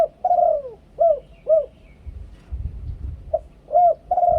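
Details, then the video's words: Spotted dove singing the two-kuk, ku-ang style of song: mellow arched coos near the same pitch, short notes then longer drawn ones, repeated phrases about every half second, with low rumbling background noise. "นกเขาใหญ่ 2 กุก คูอ่าง เสียงต่อชัดๆ"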